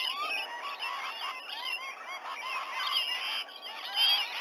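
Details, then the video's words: Morning gathering of rainbow lorikeets around a sea-eagles' nest tree at Sydney Olympic Park, Australia, 19 November 2020 after 7 a.m., via nest cam; a crowded chorus of short arched squawks and shrill chirps, swelling louder near the end. "Rainbow lorikeet gathering"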